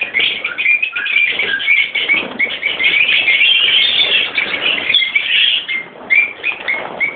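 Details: Lovebird colony of Fischer's and Peach-faced birds, parents and youngsters together in captivity. Many birds screech and chirp at once in a shrill, ceaseless chorus, with short squeaky notes standing out near the end.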